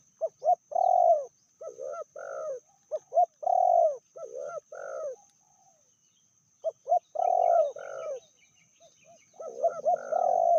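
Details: Female spotted dove, described as fiercer than the male, cooing steadily: bursts of short hollow notes ending in longer mellow coos, several phrases in a row with a brief pause midway before resuming.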